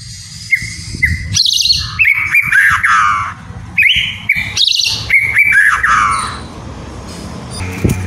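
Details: White-rumped shama song from a captive bird, played to encourage lazy birds to sing: two short whistles, then busy phrases of sweeping notes, repeated in a similar pattern, fading into background hiss.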